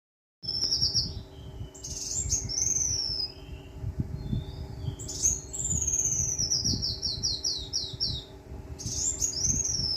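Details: Brown-throated sunbird from Kalimantan: high, thin whistled phrases, each a quick series of sliding notes, repeated in several bursts over a steady low background hum.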